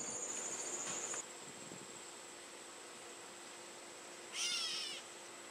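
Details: Gray catbird (Dumetella carolinensis) in a backyard gives a single nasal, cat-like downslurred mew after a burst of rustling, over a steady high insect-like hum.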